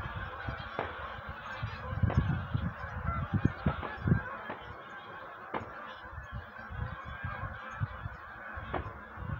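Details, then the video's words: A gathering of wild geese before migration keeps up repeated honks, with sharper calls around two and four seconds against a deep background rumble. "Wild Geese on the move"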